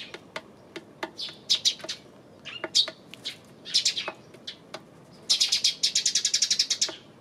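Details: Eurasian tree sparrow, 28 May, chirping in irregular short notes that quicken into a fast, steady run of repeated chirps over the last two seconds, with scattered clicks throughout.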